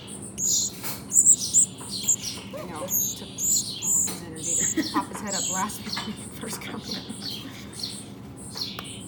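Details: Very young nestling towhees, one California Towhee and one Spotted Towhee, in rehabilitation care after falling from their nests, beg with rapid, thin, high-pitched chirps, several calling at once, with a person's voice underneath.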